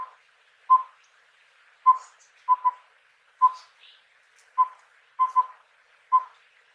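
Collared owlet giving soft, mellow whistled hoots at one steady pitch, in a single-double-single rhythm, about one note or pair every second.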